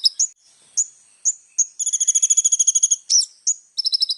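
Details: Little spiderhunter in lively song for training young birds: several thin upslurred chips at irregular intervals, then a fast, metallic trill lasting over a second, followed by a burst of chips and a shorter trill.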